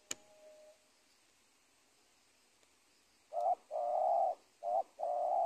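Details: Spotted dove on a former corn field at the edge of teak woodland in Indonesia; after a click and about three quiet seconds, it delivers clear cooing: short note, long husky coo, short note, long coo.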